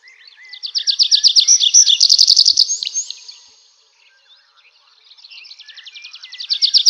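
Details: Nightingale in full song: a loud, fast, rhythmic trill of sharp repeated notes swelling then fading, a brief pause, then another rapid pulsing series building up.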